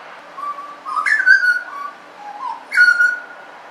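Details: Butcherbird in suburbia giving mellow, piping whistled notes, two louder sliding phrases that jump up then glide down, separated by soft low warbles, over a quiet constant hiss.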